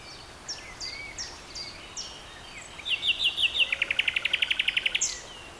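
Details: Common nightingale song: several descending high whistled slurs, spaced evenly, lead into a quick stuttering series and then a fast, even trill of clipped notes repeated many times, ending abruptly.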